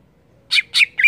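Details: Greater green leafbird in gacor singing form: three loud, harsh chattering notes about a quarter second apart, each sweeping through a bright high band and settling into a steady whistled tone, over a quiet background.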